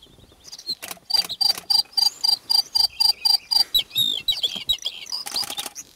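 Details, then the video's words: Very rare Bluethroat singing in front of the observer in Northern Cyprus: a steady series of about a dozen metallic, ringing double notes, each with a lower tone beneath, followed by varied twittering and a short scratchy flourish. "Bluethroat - Mavigerdan"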